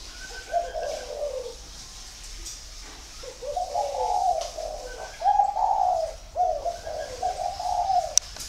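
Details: Large dove about one and a half years old cooing: a series of low, hoarse, slightly falling coos in short grouped phrases, growing louder toward the end, over faint background hiss.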